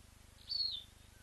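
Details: Blacksmith lapwing nest with freshly hatched leucistic chicks, webcam recording: a single high, thin whistle held briefly, then sliding slightly downward, over a steady throbbing low background hum.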